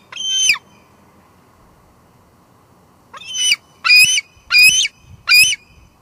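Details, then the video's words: A female bald eagle squeeing at her nest on Two Harbors, recorded through a live cam in late July; one loud shrill scream, a pause, then four harsh, high, grating squeals in quick succession, roughly two per second. "Lancer's got a lot to say tonight"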